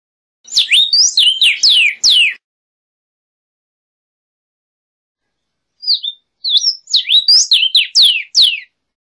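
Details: Vermilion cardinal song: two bursts of loud, clear whistled notes, each about two seconds long, made of quick rising and falling slurs that end in steep downward whistles, separated by a pause of several seconds.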